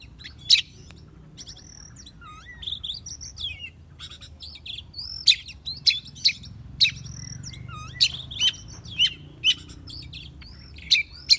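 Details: Oriental magpie-robin, a young bird being tamed, in lively varied song: quick whistled slurs and twittering interrupted by sharp, loud notes, growing denser toward the end.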